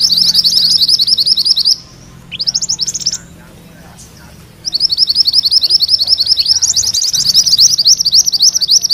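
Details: Mantenan kuning, a songbird whose rolling song serves as magpie-robin tutor material, gives a fast high trill, pauses with scattered chips, then resumes a long continuous roll of rapid shrill notes.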